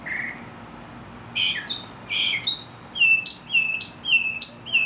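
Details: Mockingbird in Mexico singing a varied run: a short buzzy note, then paired sliding chirps, then a series of bright whistled notes, each dropping sharply in pitch and repeated about twice a second.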